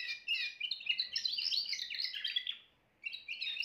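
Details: Timbrado canary singing rapid rolling trills and chirps, a dense phrase broken by a brief pause near the end before the trilling resumes; faint low background hum.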